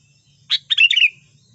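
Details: One lively phrase from a sooty-headed bulbul, used to lure birds for trapping: a sharp opening note, a short pause, then a burst of fast bubbling chirps that ends in a drawn-out falling whistle.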